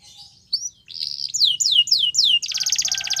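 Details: Canary song opening with soft notes, then a sustained whistle, four falling slurred whistles, and a dense rapid trill at the end.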